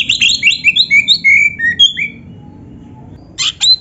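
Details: Oriental magpie-robin in full 'gacor' song, played as a masteran recording to train caged birds: a rapid run of clear, high whistled phrases, some sliding up, others dropping, then a pause and two sharp, harsh bursts.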